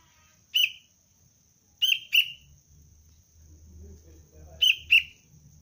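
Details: Young sooty-headed bulbul (kutilang cengkram) being trained for luring, calling in clipped, bright chirps: one single, then two quick pairs. Low murmuring noise rises toward the end, under a steady high hum.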